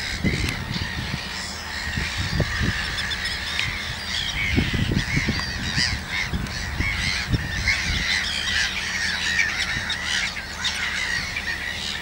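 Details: Several common terns with days-old chicks in Gothenburg's archipelago give repeated harsh, rasping calls over twelve seconds, partly masked by heavy wind buffeting.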